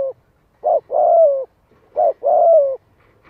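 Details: Spotted dove luring wild doves with a 'giọng hạp' voice: two phrases, each a brief note then a long, gently falling coo, separated by about a second of quiet.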